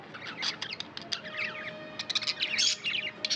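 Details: Pet budgerigars chirping: dense bursts of quick, sharp high chirps and slurred twitters, rising and falling in rapid runs with short pauses between.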